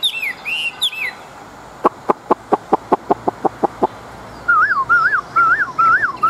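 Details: Large wild-caught Chinese hwamei fighting bird. A few looping whistles are followed by a steady series of about a dozen sharp clicks, then lower wavering, rolling whistled notes repeated several times.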